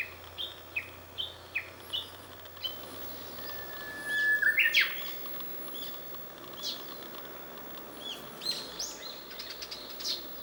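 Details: Japanese bush warbler singing hidden under mulberry leaves: scattered faint high chirps, then a sustained plain whistle that leaps into a loud, explosive flourish, followed by softer scattered notes.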